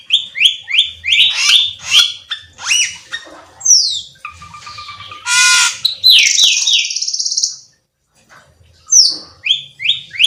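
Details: Black-winged myna singing: runs of quick descending whistled notes, harsh squawky bursts and a long grating rasp, then a short pause before more falling whistles.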